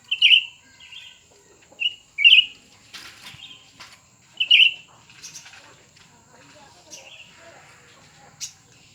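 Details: Cucak ranting birds, new versus old, competing; a run of short chirpy warbled notes in quick succession, followed by scattered softer notes, fluttering and clicks, and a final sharp note near the end.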